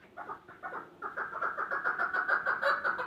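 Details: Chukar partridge (chakor) calling: a rapid run of short, hoarse clucking notes that grows louder and more regular toward the end, with a faint background hum.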